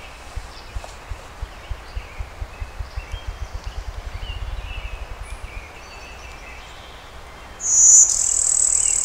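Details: Hybrid Brewster's warbler with Blue-winged warbler style song, Oil Creek State Park, Pennsylvania, 20 May 2011, overcast; low accelerating Ruffed Grouse drumming thumps dominate before a loud high buzzy song starts near the end.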